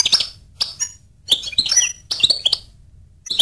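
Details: Goldfinch singing in short, bright phrases of high tinkling chirps and trills. Each phrase is about half a second long and separated by brief pauses.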